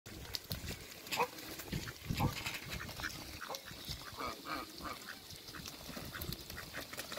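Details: A newly arrived pair of mallards in a backyard waterbird area on a farm give scattered nasal quacks and chatter over a busy, noisy background with other barnyard sounds.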